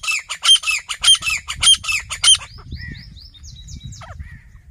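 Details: Grey francolin, known locally as desi teetar, from a pair kept for hunting: loud, shrill, harsh notes repeated about every half second, then fading; thinner high whistles and soft rustling follow.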